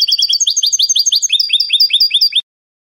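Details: European goldfinch singing Spanish salon style (canto de salón): a continuous rapid stream of bright, slurred high notes for over two seconds, shifting phrases midway, ending abruptly; quiet background.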